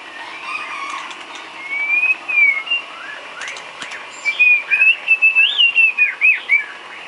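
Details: White-rumped shama isian song for training cage birds: smooth whistled phrases that rise and fall, then a quick varied series of bright, looping whistled notes, with faint hum behind.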